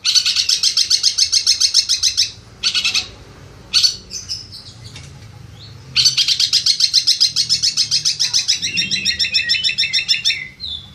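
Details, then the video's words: Long-tailed shrike, a competition champion that won a national contest, delivering long fast runs of rapid, high, scratchy chattering notes broken by short gaps and brief squeaky calls, then a varied stretch of trilled and warbling phrases. "Video suara burung cendet jawara"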